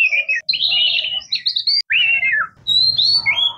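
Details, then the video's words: Oriental magpie-robin (murai kampung, kacer) delivering loud, fluid whistled song phrases, sliding and warbling, with a long descending note midway and bright high notes near the end, over faint low background rumble. "Oriental Magpie Robin Singing | Suara Burung Murai Kampung | Bunyi Kacer"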